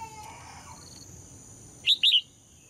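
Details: Female red-whiskered bulbul song aimed at making males sing strongly: after a stretch of low noise and faint calls, one loud whistled phrase of three bright notes near the end, with a constant high tone present.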